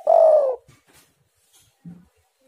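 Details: Lure recording of a spotted dove: one drawn-out, mellow coo that sinks slightly at its end, followed by silence and a faint low thud.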